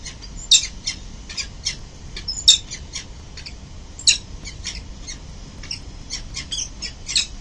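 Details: Adult peregrine falcons, both parents, coming home to their building nest in early morning, 22 November 2024; loud grating kek-like notes delivered in uneven bursts, some sharper squawks standing out, faint low hum behind.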